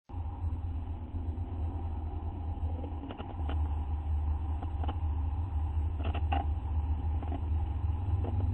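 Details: Steady low mechanical hum with a few faint clicks and taps; no animal voice is heard.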